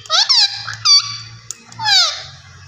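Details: Green ringneck parrot speaking in a high, squeaky, nasal voice: several quick word-like syllables, then a longer descending phrase, over a faint low hum.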